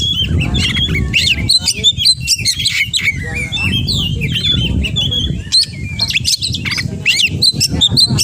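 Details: Oriental magpie-robin singing excitedly, squeaky upslurred whistles and sharp chips packed into fast bursts, set against a noisy low rumble.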